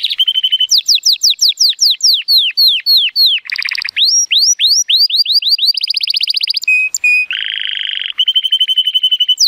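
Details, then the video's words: Male Timbrado Español canary, born 2018 and rated 83 points, singing powerfully on a sunny day: rapid falling whistled notes, buzzy trills, a steady piping tone and a low rattling roll, changing phrase every second or so. "The most PLEASANT Canary training song"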